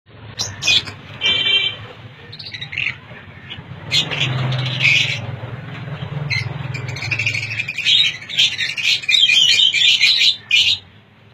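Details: Lovebirds in a breeding colony, many birds giving harsh high chirps and squeaky chatter in overlapping bursts, busiest toward the end, over a low rumbling hum in the middle.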